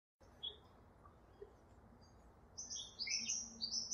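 Double-barred finches give thin, high chirps: a single squeaky note early, then a quick jumble of sliding, overlapping calls over the last second and a half, against a soft low hum.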